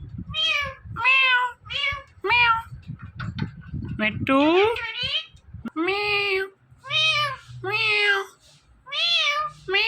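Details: A talking parrot says "Mithu" again and again, each word a nasal, harmonic two-syllable burst, roughly one per second, with a brief rising squawk midway and a short pause between groups.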